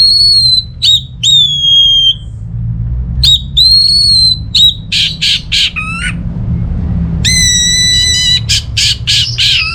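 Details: Orange-headed thrush song as a lure for silent birds: drawn-out whistles, then buzzy rapid bursts, a descending note and a rich rattling trill, with low hum underneath.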